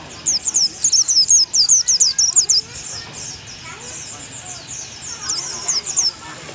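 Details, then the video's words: Bongkar isian song of an oriental white-eye from Thailand, a tutor recording: a fast, regular string of loud, high, sharp chirps for about two seconds, then quieter twittering followed by another brief run of chirps. "burung pleci unik dari thailand"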